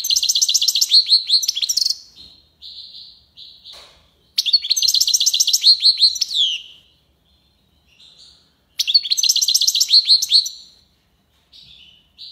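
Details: European goldfinch, tiwawati song from Algiers, Algeria: three long bursts of fast, ringing, high rolling trills, each trailing into quieter buzzy notes before a pause.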